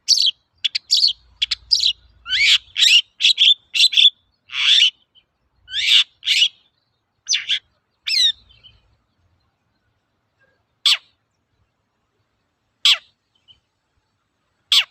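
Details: Long-tailed shrike (cendet) lure song for training birds: rapid burst of varied chirps, trills and raspy notes over about eight seconds, then three isolated harsh descending calls spaced two seconds apart.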